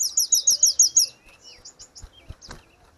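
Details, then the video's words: Grey-cheeked bulbul singing vigorously, a recording meant for training caged birds. A quick series of about seven bright, chirped high notes is followed by softer scattered chirps and low knocks. "Terapi tledekan gunung _gacor"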